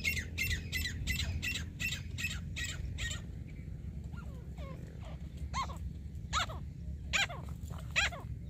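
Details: Grey francolin (teetar) at a hunting site: a fast series of shrill squawking notes for about three seconds, followed by softer sliding calls and spaced harsh notes over steady low background noise.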